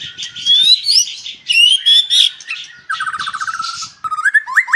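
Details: White-rumped shama at a breeding farm in Palembang, long rising whistled notes over chatter, then a fast rattling trill and sharp upswept whistles at the end.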